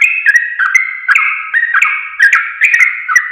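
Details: Trucuk (sooty-headed bulbul) singing to train caged birds: a dense, bubbling flow of short whistled notes, some rising and some falling, with crisp clicks between them and a quiet background.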